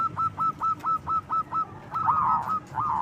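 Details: Local zebra dove with a loud lure song for drawing out other doves: evenly spaced clipped notes, about four per second, then merging into a dense rolling warble at the end.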